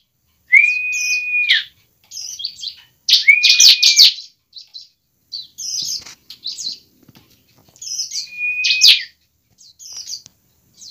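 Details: Bar-winged prinia fighting song for prompting a bird to sing: three times a clear level whistle about a second long runs into a harsh buzzy trill, with scattered high chips between phrases in quiet surroundings.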